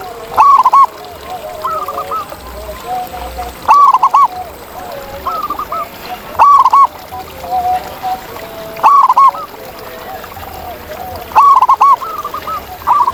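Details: ['Wild zebra dove in its natural surroundings repeats a loud, quick, rolling coo about every two to three seconds. Several fainter doves keep up overlapping bubbling phrases in the background.']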